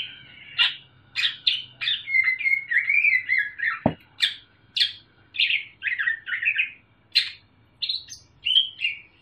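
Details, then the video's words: Loud, clear song of a young caged Sumatran leafbird with parrot and bulbul mimicry: sharp clicks and chips mixed with slurred whistles and warbled phrases, one brief knock in the middle. "Cucak Ijo Sumatera Ngriwik Isian NURI & NAMDUR | Burung Daun Ngriwik Kenceng"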